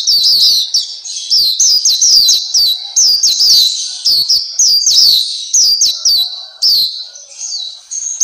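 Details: Continuous chattering song of a captive black-capped white-eye, also called Papua white-eye: dense runs of high, thin, downward-slurred whistles repeated several times a second, with brief gaps and a clean background.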